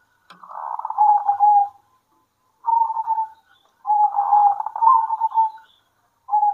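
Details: At midday local zebra doves trade phrases: a trilled cooing run, a short coo, then a longer rolling phrase of stacked trills and sustained coos, with silent gaps between.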